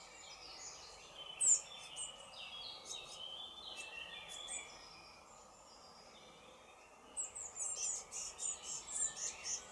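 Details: Young blue tits ready to fledge, fed at the nest box by a parent luring them out, beg in thin, very high, rapid chittering bursts. The calls come in two busy spells over a steady background hiss.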